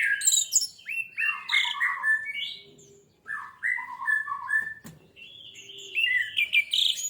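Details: Varied, rich warbling of an orange-headed thrush, played as a lure to make birds sing: loud tumbling phrases mixing low and high notes, a pause, then a sharp click and more high fluttering notes.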